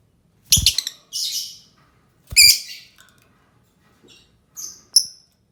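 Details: Lovebird giving a few shrill, high-pitched chirps and harsh squeaky bursts at irregular gaps, finishing with two short, thin whistled notes close together; otherwise a quiet background.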